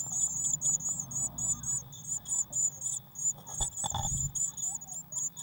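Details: Blue tits at a nest box, 19 May 2019, waxworms freshly supplied; rapid high chirping at about four notes a second, with a couple of soft bumps midway.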